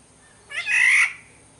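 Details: Single grating, nasal mew from a black-naped oriole of Sumbawa, about half a second long, swelling from a thin onset into a loud buzzy core, then stopping abruptly.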